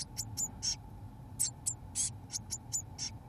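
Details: Seventeen-day-old Eurasian blue tit chicks in a nestbox, fed mealworms by both parents, give rapid, thin, hissy begging calls, about three or four per second, over a low steady hum.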